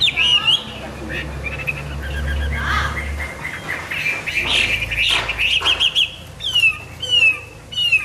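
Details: Hwamei singing in the morning: scattered whistles and short warbled phrases, then clear downslurred whistles near the end, with low rumbling noise in the first half.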